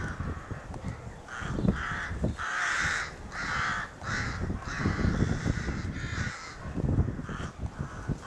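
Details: May 2018 rookery: crows calling excitedly around their nest, roughly eight short, harsh caws at uneven intervals over a persistent low rumble of wind or handling noise.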